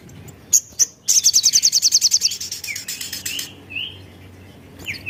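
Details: Javan cochoa, locally called sogon, singing clearly; the song is used to lure and stimulate other birds to sing. A few sharp high notes lead into a fast run of about twelve rapid, evenly spaced piercing notes, followed by short slurred whistles.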